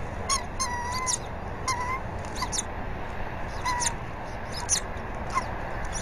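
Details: Bald eagles at a nest on a live cam, Berry College, mid-morning on 20 February 2019, as the female feeds the eaglet fish the male brought. Thin whistled notes near one pitch come in short series, with sharp high chittering bursts over steady low background noise.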